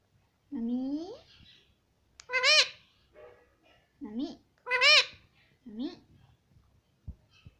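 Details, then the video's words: Indian ringneck parakeet at home chanting "mummy" repeatedly, a string of about six nasal, wavering syllables alternating softer and louder, roughly every second, with a click near the end. "cute Indian ringneck parrot talking || no stop mummy bolne vala"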